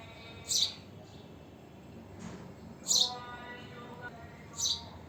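House sparrow giving three loud, bright chirps about two seconds apart, each a brief burst, over a faint background hum.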